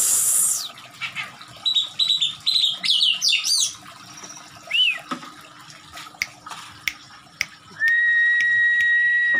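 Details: Oriental magpie-robin, excited and attacking with its tail opened, sings a burst of varied chattering and slurred notes, then scattered sharp clicks and chips, ending in a long, level, sustained whistle.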